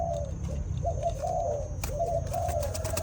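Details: Spotted dove cooing during mating: a steady run of soft, low hooting coos, each note slightly rising and falling, with a constant low rumble of background noise underneath.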